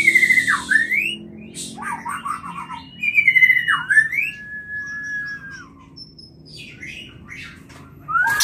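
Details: White-rumped shama mating call used to trigger breeding: loud swooping whistles that dip and rise, a long steady whistled note, scattered chips, then quieter faint notes before a final rising whistle.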